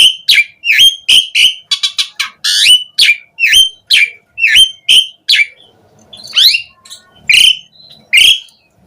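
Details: Asian pied starling singing as a lure to prompt other starlings to respond: a steady series of loud, bright upslurred whistles with harmonics, about two per second, then sparser notes toward the end.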